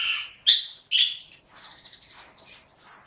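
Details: An orange-headed thrush delivers a few loud, slurred whistled notes separated by short gaps, followed by softer twittering and high thin whistles near the end.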